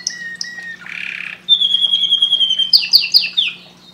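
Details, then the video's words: A canary sings a bright, high medley: a few thin whistles, a buzzy trill, a long sustained whistle, then quick descending chirps, over a faint low hum. "canário cantando muito"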